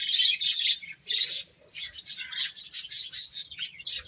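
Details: Baby chickens chirping while eating and playing: a dense chorus of high peeping from several chicks, in bursts with a short pause near one second.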